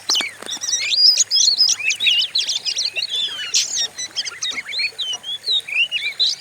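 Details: Fierce-sounding white-rumped shama song from a recording used to train other birds: busy mix of sharp chirps, sweeping whistles and quick buzzy notes, almost without pause, over faint hiss.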